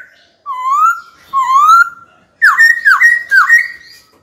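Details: Kept white-cheeked laughingthrush singing to challenge a rival bird to fight: two drawn-out, slowly rising whistles, followed by three rapid hooked notes that drop and rise again.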